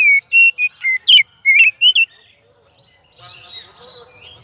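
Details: Oriental magpie-robin (kacer) lure song: a run of loud, clear whistled notes, some steady and some slurred up or down, repeated quickly for two seconds, then faint chirping and twittering in the background.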